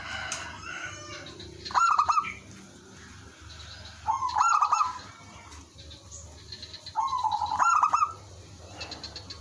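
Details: Zebra dove of the local village type singing as a decoy so other doves respond; three bubbling, staccato coo phrases roughly every two to three seconds, each preceded by crisp clicks.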